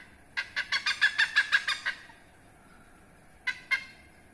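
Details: Protected rare hornbill behind a house in Indonesia: a rapid run of about nine loud harsh barking notes, a pause of over a second, then two more barks.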